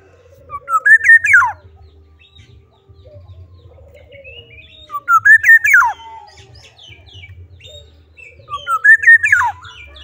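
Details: Black-naped oriole in full song, delivering the same rich fluty phrase three times at roughly four-second intervals, each a quick series of mellow whistles finishing in a steep downward slide, with soft chatter between and a low hum.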